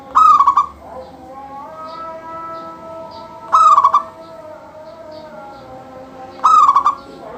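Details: Local zebra dove singing without pause, a song that sets other doves off singing. Three rolling phrases come roughly every three seconds, each a short bright coo followed by quick stuttered notes, with faint sustained tones beneath.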